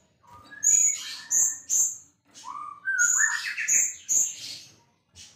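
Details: White-rumped shama, a champion singer, mixes high ringing whistles, chattering bursts and slurred whistles sliding upward in steps, phrases tumbling closely one after another.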